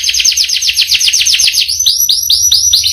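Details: Canary singing a rich, long rolling song: a fast run of high downward-sweeping notes that shifts into slower, separated rising-and-falling whistles toward the end.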